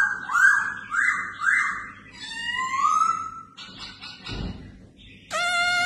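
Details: A red-whiskered bulbul being trained as a fighting bird gives three quick, rising whistled phrases, then a longer sliding whistle, a harsh burst and a steady, bright tone at the end.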